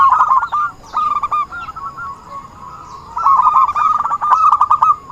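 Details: Zebra dove (perkutut) lure call for trapping: a loud trilled coo phrase, softer stuttering notes during a quieter middle stretch, then a strong run of rapid rolling coos from about 3 seconds.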